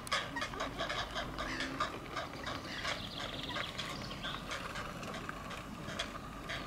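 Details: Three hungry great blue heron chicks about a week old give a harsh, rapid chatter of clacking, ticking calls as their mother regurgitates a crawfish too big for them, steady throughout, with a noisy hiss of background sound.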